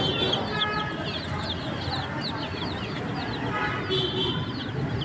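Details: Chicken chicks chirping busily, quick descending peeps at roughly three or four a second, a few clearer whistled notes standing out, over low rumbling noise.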